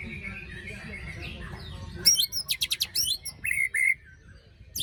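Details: White-rumped shama (murai batu) after its moult; soft faint twittering gives way to a sudden besetan phrase of sharp, rapidly repeated rasping notes, then clear downslurred whistles and a short harsh note at the end.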